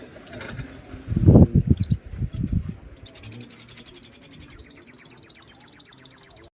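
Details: Crested jay (sogon) giving its full repertoire of harsh 'rough shot' bursts: after some low thumping sounds, a long, very high, fast rattle of evenly repeated notes runs steadily to the end.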